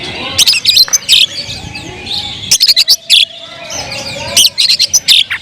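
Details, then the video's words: Oriental magpie-robin singing: bright, high whistled phrases broken by bursts of sharp chirps and clicks, short notes repeated in quick runs, with a faint steady tone underneath. "suara kicau burung Kacer"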